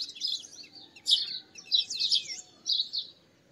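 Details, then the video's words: Bright, high twittering phrases from a purple sunbird, given in three or four loud, rapid bursts of squeaky notes over quiet background. "Purple Sunbird Songs - Purple Sunbird Sound - Purple Sunbird Call - Purple Sunbird Singing"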